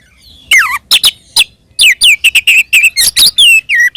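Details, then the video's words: Fighting song of an Oriental magpie-robin, used to provoke other magpie-robins: falling whistled slurs then a fast run of clear repeated whistled notes mixed with harsh strokes. "SUARA BURUNG kacer gacor NGEPLONG TARUNG ini paling AMPUH buat PANCINGAN KACER agar EMOSI NYAUT"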